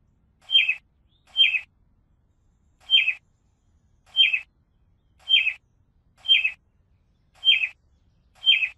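A robin gives eight short, bright chirps at an uneven pace, roughly one per second, each a quick high note with a slight downward slur. No other sounds are heard.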